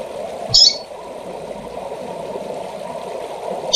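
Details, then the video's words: A single short, high, slightly rasping call from a female double-collared seedeater calling to excite males, with a steady low hum behind it and another note just starting at the end. "Fêmea de Coleiro Chamando para Esquentar e Foguear Qualquer Coleiro ou Papacapim!!!"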